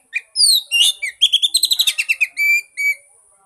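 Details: Oriental magpie-robin song used to coax a mute bird into singing: sweeping whistles, a quick series of bright staccato chirps, ending in two steady high whistled notes.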